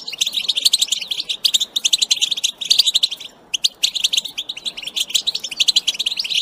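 Goldfinch in rapid, unbroken twittering song of bright, high, tinkling notes and buzzy trills, pausing briefly once before resuming just as fast.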